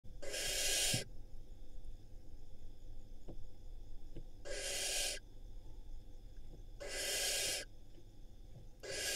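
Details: Barn owl at a nest with nestlings in Israel, filmed on a nest camera while the birds swallow rodents: harsh, broadband hissing screeches about half a second long, repeated roughly every three seconds over low background hum.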